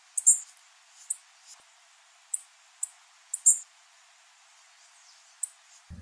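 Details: Female blue-black grassquit calling with high, sharp chips at irregular intervals of half a second to two seconds over a soft hiss.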